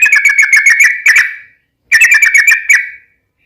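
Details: Yellow-vented bulbul singing a long rapid phrase meant to provoke other bulbuls into answering: two bursts of chattering, gurgling whistles, each about a second and a half, fading out, separated by a short silence.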